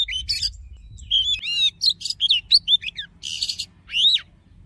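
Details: Oriental magpie-robin in wild-style song meant to stir males into a fighting mood: jumbled high whistled notes, short harsh buzzes and rising-falling slurs, ending in one clear arched whistle.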